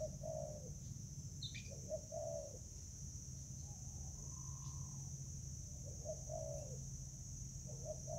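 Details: Spotted dove in Vietnam on 24 July 2019, fighting over food: low cooing phrases of two or three notes repeated every couple of seconds over a steady mechanical hum, with a brief higher chirp from another bird.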